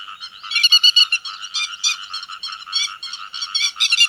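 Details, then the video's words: Flock-gathering calls of grey-headed lapwing: rough, buzzy notes rising and falling in quick irregular bursts, several voices seemingly overlapping, loudest toward the end, on a clean background. "Tiếng Chim Te Vàng Gọi Bầy"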